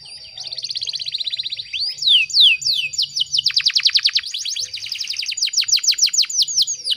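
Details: A female canary in breeding condition, luring a male, delivers a fast fine trill, rising slurs, then a long sequence of sharp downward sweeps repeated about three per second, with a faint low hum.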